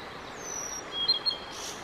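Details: Male Blue-and-white flycatcher singing at length, with several bird photographers nearby: thin clear whistled notes, a high sustained one and then short bright phrases lower down, over faint steady outdoor background noise.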